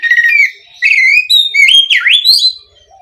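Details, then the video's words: Song of an oriental magpie-robin used to provoke other magpie-robins, a run of clear whistles, some held and some sliding, including a sharp V-shaped swoop down and back up. "SUARA BURUNG KACER INI AMPUH UNTUK PANCINGAN KACER AGAR CEPAT KONSLET DAN NGEPLONG‼️"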